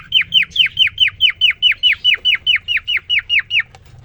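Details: Caged male cockatiel (quarrion), kept alone three days, singing right after a female was introduced to him: about fifteen sharp, downslurred chirps in an even, rapid series, roughly four a second, then a quiet end.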